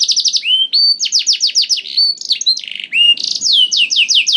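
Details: Canary singing as a lure to get other canaries singing: brisk repeated downward-swept whistles, a long rising slur, then a quick buzzy trill and further falling notes, continuous and loud.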